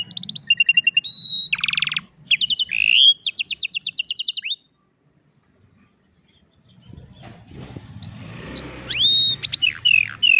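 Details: Old canary singing in the afternoon: rapid trills, buzzy rolls and repeated high whistled notes for about four and a half seconds, then a pause, with background noise rising and a few sweeping chirps near the end.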